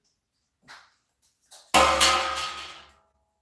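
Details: A few short soft sounds indoors, then a loud ringing instrumental chord that slowly fades away.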